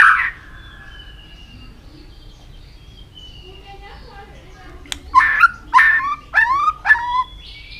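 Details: White-rumped shama training song for many-voiced, fast singing: one brief rough note, a long quiet stretch with a faint thin whistle, then four sharp descending-and-rising whistled notes in quick succession.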